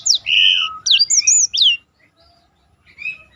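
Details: Black-throated canary singing a roll-style song as a master training recording for contest birds: quick whistled sweeps and a long buzzy trill, then warbled high notes, followed by near silence with a faint late phrase.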